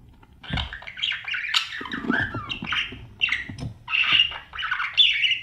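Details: Budgerigar babies in a nest box being fed by their parents: harsh, raspy squawks and chirps come in quick bursts, with a few soft thuds from movement inside the box.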